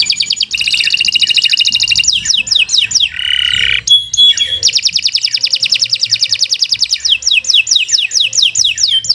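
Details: Long, vigorous canary song used for tutoring other songbirds: dense high trill, series of falling slurred whistles, a harsh buzzy phrase, then extended rapid repeated trill notes.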